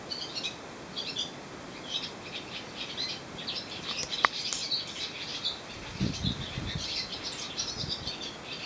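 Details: Several swallows sitting on a wire on Susak island, Croatia, singing together; busy high twittering and chirping throughout, with a sharp click near the middle and low thumps toward the end.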